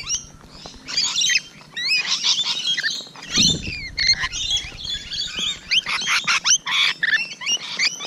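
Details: Rainbow Lorikeets heard close on a June 2017 morning, a steady flock chorus of harsh screeches and high squeaky chatter, a low thump near the middle.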